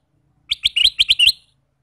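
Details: Male ruby-throated bulbul singing persistently: a quick run of six sharp, bright chirps with slightly rising tips, spaced about a tenth of a second apart, then silence, with no other sounds.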